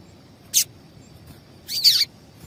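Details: High calls of a female double-collared seedeater, played to excite males before singing contests: one short sharp chirp, then after a gap a longer, slurred note that sweeps downward.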